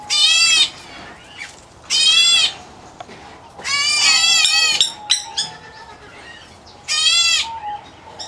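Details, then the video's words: Young White-headed Black Bulbul, an Indian-area subspecies, calling from an aviary with harsh grating bursts, one longer and drawn out, separated by gaps of a second or more. "White Head Black Bulbul Chick"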